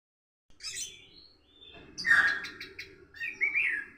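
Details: Orange-headed thrush learning a 'rock and roll' song style in the morning: a short burst of high chirps, then a louder run of varied twittering notes with a steady low hum behind.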